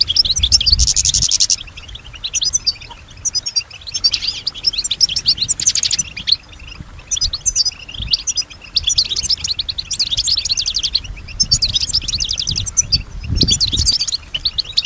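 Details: Pet European goldfinch singing, a bird said to imitate surrounding sounds such as other birds, whispers and human voices; high, rapid liquid twittering in dense bursts separated by short pauses, with a faint low rumble near the start and end.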